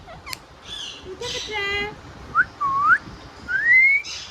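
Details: Indian ringneck parrot making talking sounds: low harmonic voice-like syllables, then short arched whistles, then a long rising whistle near the end.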